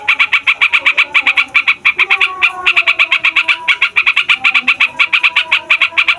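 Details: Yellow-vented bulbul in long rolling song, meant to provoke other songbirds and lure wild birds: rapid bursts of sharp stuttered notes, about five per group, repeated almost without pause, with a faint low steady tone beneath.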